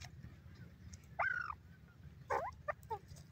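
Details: Pheasant calling in a forest: a drawn-out, harsh, nasal note rich in stacked harmonics, then after a pause a quick cluster of three shorter rough notes, over a steady low rumble.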